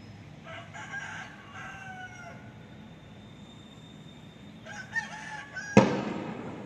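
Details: Cock-a-doodle-doo of a rooster captured with an ASUS Zenfone 2 Laser phone: two crows, the first long with a slurred falling ending, the second shorter and rougher, followed by a sharp loud knock near the end.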